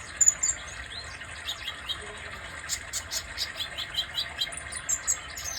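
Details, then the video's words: Kolibri dada merah, a sunbird, singing a string of thin high chirps repeated several times a second, over a constant background buzz of insects. "Kolibri dada merah"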